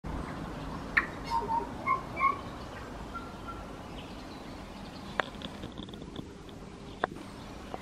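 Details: Tui calling from a cabbage tree about 4 m above a driveway between houses in dense suburban housing, beside a native vegetation corridor running to Eskdale Forest: a few short, clear bell-like notes near the start, then sharp clicks over steady background noise.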